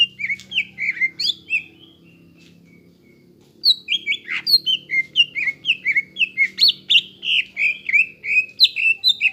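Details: Greater green leafbird in full, energetic song, used as a lure to stimulate young birds to sing, an easily imitated model voice: rapid run of sharp high chirps and short whistled notes about four per second, a brief pause mid-way, faint low hum beneath.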